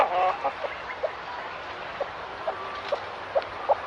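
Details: Free-range chickens give short, soft clucks and brief squawks, about every half second, over a steady background hiss with faint bird calls.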